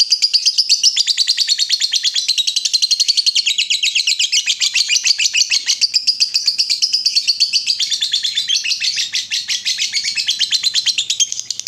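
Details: Lovebird in full voice, played as a lure so other lovebirds answer with the long ngekek chatter: an unbroken, very fast, high, buzzy trill running steadily for about twelve seconds.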